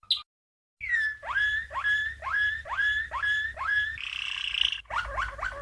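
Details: Waterslager (Malinois) canary song from 1997, a champion bird's training song for young canaries: after a short gap, a series of falling, gliding notes repeated about twice a second, then a brief buzzy roll and quick rising notes.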